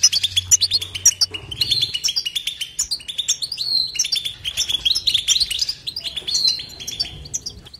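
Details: European goldfinch pouring out unbroken batbata song, a dense stream of quick, tinkling twitters, buzzy chirps and rolling liquid trills with hardly any pause; light low hum in the background.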